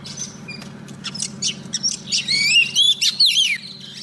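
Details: Decoy female Oriental magpie-robin calling a male for trapping: soft scratchy chirps build into clearer rising and falling whistled notes near the end, with a faint low hum throughout.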